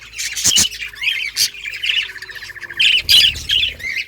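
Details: Pet budgerigars in a breeding colony: loud sharp squawks and a fast trilled warble, then rapid piping chirps, with a faint low tone running beneath the first half.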